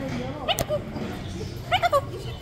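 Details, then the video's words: A captive talking macaw parrot in a pet store mimics speech in short, voice-like bursts with a strained, nasal quality, against a steady hum of background chatter. "THE TALKING MACAW PAROT"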